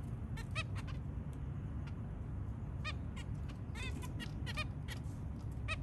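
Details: Early-morning calls from a zebra finch family with three young: scattered short nasal beeps, some in quick pairs, increasing toward the end over a constant low-pitched background hum.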